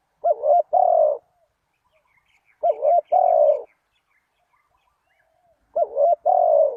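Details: Spotted dove calling to lure wild doves. Three two-part cooing phrases come about every 2.8 seconds, each a quavering note then a longer, slightly falling coo. Faint twittering is heard in between.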